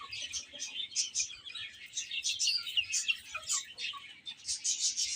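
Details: Chicks, young chickens, chirping while eating and playing; loud, thin, sharply falling peeps from several birds, repeated rapidly in irregular bursts, with a few softer lower notes between.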